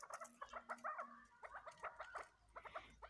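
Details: Cross-bred chukar chicks calling with short, repeated chirping notes in quick clusters, a brief pause, then more chirps, over a low steady hum.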